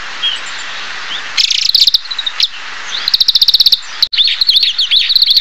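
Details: Song of an oriental greenfinch (Chloris sinica): a faint opening whistle, then quick buzzy trills and chattering notes in short bursts, ending in a continuous run of twittering, rising and falling chirps.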